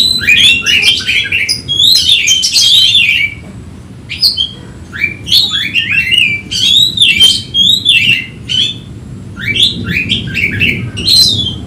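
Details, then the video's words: Oriental magpie-robin singing emotionally while seeking a rival, a long run of varied sharp whistles, downslurred notes and harsh chatter in repeated bursts with brief gaps, low hum beneath. "Kacer ngotot emosi mencari lawan"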